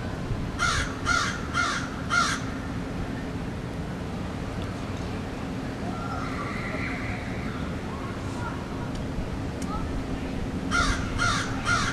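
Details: Crows sitting in a tree: a burst of four rasping caws in quick succession, a long gap with faint distant calls, then three more harsh caws at the end over steady low background noise.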